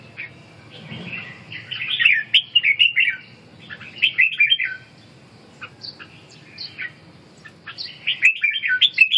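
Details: Red-whiskered bulbul in lively song: clusters of rapid warbling, chirpy whistles rising and falling, broken by short gaps, with a steady faint low hum behind.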